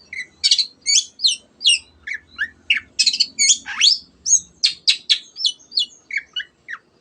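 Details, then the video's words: Cendet, or long-tailed shrike, in lively 'gacor' song used to make other birds sing. Continuous varied sequence of sharp high whistles, chips and slurred notes, about two per second, over seven seconds. "CENDET GACOR MENJADIKAN YANG DIAM IKUT GACOR the sound of shrike birds"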